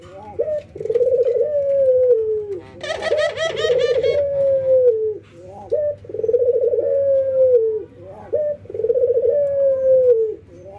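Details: An albino white ringneck dove and a local ringneck dove, training and nodding, coo in turn. There are four rolling, drawn-out phrases about two and a half seconds apart. A harsher, rippling burst rich in overtones overlaps the second phrase.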